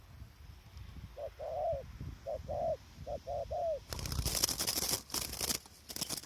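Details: Spotted dove calling as a trapping decoy in strong wind, wild doves distant; about six short, mellow coos in a stuttering series, then loud crackling rustle drowns everything.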